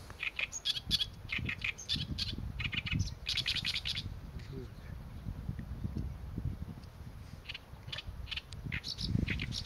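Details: Oriental reed warbler singing: bursts of harsh, chattering notes repeated in quick clusters throughout, with short pauses between phrases, over a steady low rumble of wind or distant background noise.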